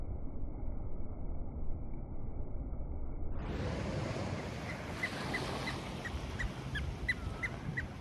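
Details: Oystercatcher on a morning walk at Swansea Heads gives a string of short, sharp, high piping notes about every half second over heavy rumbling surf and wind.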